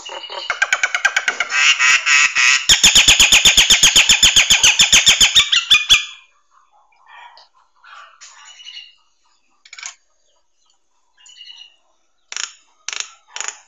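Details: Nias hill myna song, offered as a master recording for training songbirds: a loud, harsh, buzzing rattle of rapid pulses held for about six seconds, followed by scattered short squeaks and clicks.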